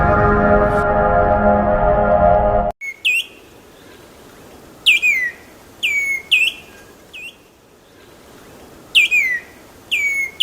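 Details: Plaintive cuckoo (kedasih dada kuning) singing: after a few seconds of loud music, clear whistled notes that slur downward, given singly and in pairs at irregular intervals over quiet background hiss.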